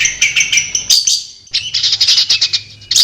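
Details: Long-tailed shrike singing in its natural habitat, with fast pulsed high notes, a brief buzzy sweep, then another rapid series of chirps.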